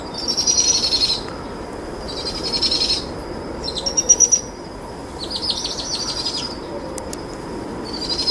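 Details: Two young powerful owls beg from a feeding adult female at dusk, giving high, quavering, fast-pulsed trills in roughly one-second bursts, some rising slightly, spaced about one to two seconds apart, with faint steady hiss beneath.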